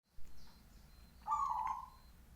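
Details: Local zebra dove with a loud, big voice: one rich, hollow cooing note of about two-thirds of a second with a slight wavering roll, after a faint early note, over low steady background hum.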